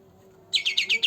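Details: Green leafbird, a young bird said to be two months old, singing loudly; its song is used to prompt birds that rarely sing. After half a second of quiet, a quick run of five sharp, high chirps, each sliding downward, follows at an even pace.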